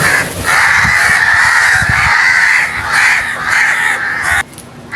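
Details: Crows making loud noise: an unbroken wall of harsh, grating cawing that holds for about four seconds, like several birds calling over one another, before cutting off abruptly into quiet.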